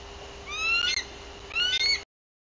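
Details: Female bald eagle at her nest in Bluff City, Tennessee, April 2023, giving lengthy alert calls while tracking something. Two squealing, slightly upslurred whistles about a second apart, then the sound cuts off.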